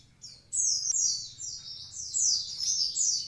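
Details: Javan pied starling in full voice delivers a continuous run of high whistled notes, each sliding downward, linked into an unbroken rolling phrase.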